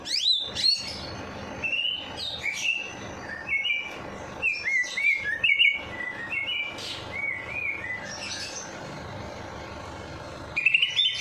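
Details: Bird singing straight after its night bath, meant to stir lazy birds into song: long run of clear whistled chirps, each note briefly slurred, delivered in rapid uneven phrases, ending with a loud burst.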